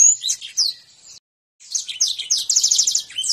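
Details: Canary in konslet and ngentrok style: a scratchy burst of slurred high notes, a short silence, then a busier phrase ending in a fast, evenly pulsed trill.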